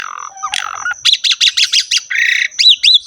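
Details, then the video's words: Asian pied starling singing a lively, rich varied song: a low whistle, then a run of rapid harsh buzzy bursts, a grating phrase and two bouncy rising-falling whistles, with a thin steady high tone behind. "KICAUAN BURUNG JALAK SUREN GACOR FULL ISIAN MEWAH"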